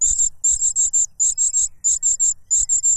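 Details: Loud cuckoo chick begging from its foster father bringing a butterfly; quick high, thin squeaks in strings of three or four, repeated nonstop with short gaps, light low rustling underneath.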